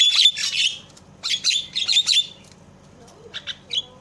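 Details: Javan myna calling, played to stir silent mynas into calling: loud harsh squawking bursts in quick clusters, then softer short chips near the end, faint low hum throughout.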